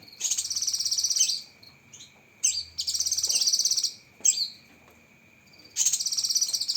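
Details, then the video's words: Cucak kinoi leafbird in a training recording full of sharp 'tembakan' bursts: loud rapid buzzy trilled chatter, high-pitched, in three bursts of about a second each, over a steady thin whine in the background. "Masteran Burung Cucak Kinoi Full Isian Tembakan Pedas"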